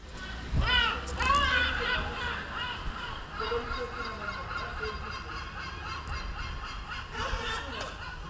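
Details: Several gulls at Üsküdar feeding on chicken meat give harsh, nasal squealing calls that rise and fall, in uneven bursts with overlapping birds, over a low background rumble.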